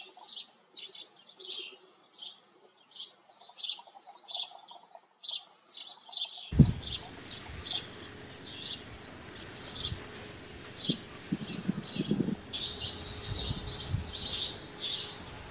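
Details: A steady series of short sparrow chirps from house sparrows at a farm, later joined by rustling and low knocking noises alongside continued chirping.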